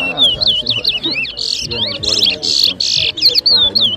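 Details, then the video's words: Chestnut-bellied seed finch (towa towa) singing at a bird whistling competition at Rosehall, Guyana, in 2023; rapid, high, varied whistled notes and buzzy trills in dense bursts, with people talking in the background. "TOWA TOWA BIRD WHISTLING COMPETITION"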